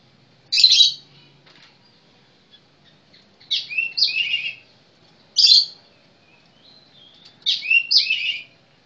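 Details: Oriental magpie-robin (kacer) singing: four loud, buzzy, scratchy high-pitched phrases, some single bursts and some double, separated by pauses of about one to two seconds, with a quiet low hum behind.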